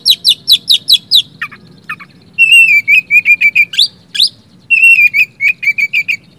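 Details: Oriental magpie-robin song used to coax quiet birds into singing: a rapid train of sharp descending notes, two lower chips, then long runs of clear whistled notes repeated quickly on a steady pitch.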